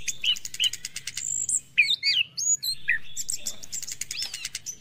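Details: Orange-headed thrush singing in the morning, a lure for stressed caged birds that have stopped singing: fast rhythmic high chatter mixed with looping whistles and sharp downslurred notes, continuous and lively.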